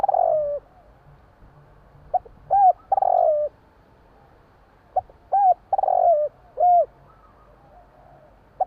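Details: Zebra dove, the Javanese tekukur, heard at night giving bursts of short hooked coos ending in a longer falling coo, repeated in loose sequences against a quiet low background hum.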